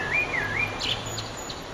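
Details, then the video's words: Eurasian blackbird at sunset on 9 June 2011 singing one short phrase: a fluted, wavering whistle followed by quick high squeaky notes, against a low hum and noisy background. "Blackbird's Song"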